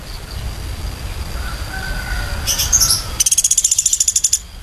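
A woodpecker gives a brief cluster of high, squeaky notes, then a fast, even run of about a dozen sharp notes in just over a second, over soft outdoor rumble.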